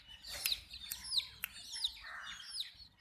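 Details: Quieter high-pitched chick peeps, each a short falling whistle, from baby chickens drinking water, with a few sharp taps in between.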